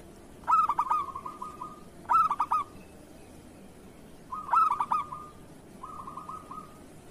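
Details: Local zebra dove song for training other doves to sing: four phrases about two seconds apart, each a loud stuttering whistled burst sliding into a fast bubbling trill.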